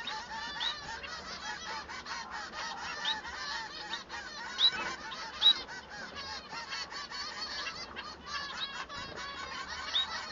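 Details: A male Bengalese finch sings a long, busy sequence of nasal, buzzy notes repeated at roughly one per second, interspersed with a few sharp high ticks.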